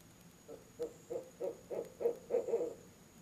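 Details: Two barred owls hooting at a nest box one October evening: a swelling series of around eight deep hoots, loudest and most overlapping in the last second, over a quiet background hum.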